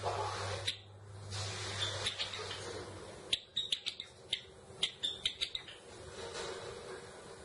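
Java sparrow giving a string of sharp, bright clicks and chips, irregularly spaced, mixed with soft twittering; a low hum sounds in the first few seconds.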